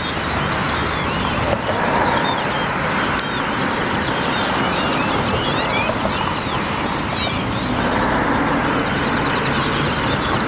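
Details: Thousands of European starlings gathering at sunset in a communal roost at a city street intersection, Dallas/Fort Worth area: a steady wall of overlapping chirps, clicks and whistles blending into a rushing, noise-like roar.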